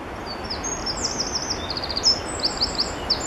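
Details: A Eurasian wren sings a fast, high-pitched tumble of trills and sharp ticking notes over steady background hiss, Dziwnówek, Poland, 13 June 2014.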